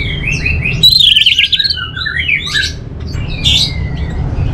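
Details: Orange-headed thrush pours out a fast, trilling warble of wavering whistles, then a long, drawn-out even whistle near the end. A faint low hum sits beneath.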